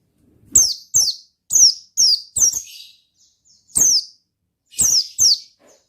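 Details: Oriental white-eye in lively ngalas singing form, its voice offered to spur other white-eyes to sing. Sharp, high chips slide steeply downward, each with a faint click, in irregular pairs and bursts separated by short silences.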